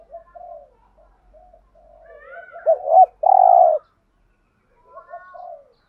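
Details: Spotted dove calling-style cooing meant to attract wild doves: faint soft coos and higher wavering tones build to two curled notes and a long steady coo, then a quiet falling note.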